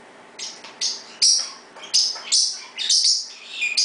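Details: Pet parrot in its usual 6pm round of loud chirping, meant to let its owner know it is still there. Sharp, high chirps and squeaks come in bursts about every half second, with short quiet gaps between them.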